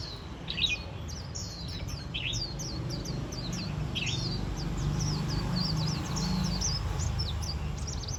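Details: Warbling white-eye chatting on autumn's first day, giving a lively run of quick, high, thin chips and slurred twitters, more than two per second at times, against steady low-pitched background rumble.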